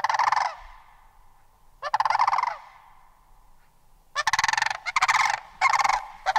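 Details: Rolling, trumpeting rattles from a sandhill crane: two separate bursts early on, then a quicker series of four harsh, pulsed calls close together in the final two seconds.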